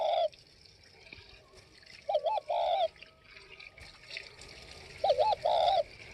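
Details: Northwest Vietnam spotted dove repeats short paired coos, a quick wavering note then a longer one, every few seconds over a hissing, trickling background.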